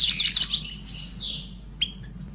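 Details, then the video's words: A pet sparrow kept at home sings a fast burst of high, bright chirps and twittering notes for about half a second, followed by a thin trailing whistle and one sharp clipped chirp; a low hum runs underneath. "عشاق العصفور - متع عقلك - Sounds of Birds"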